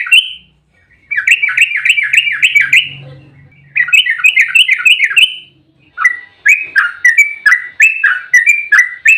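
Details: Yellow-vented bulbul singing an excited fighting song in rapid 'ropel' form, played as a lure for other bulbuls: three bursts of quick, sharply repeated liquid notes separated by short gaps, with faint low rumbling beneath.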